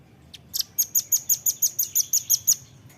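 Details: Velvet-fronted nuthatch, known locally as rambatan paruh merah, in a training recording for captive songbirds: a fast series of about twelve sharp, very high chipping notes, evenly spaced roughly six per second, after one faint opening note; quiet background.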